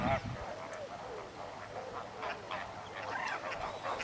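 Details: White-faced whistling ducks at WWT Slimbridge give overlapping whistled calls with rising and falling notes, several birds calling over a steady background murmur.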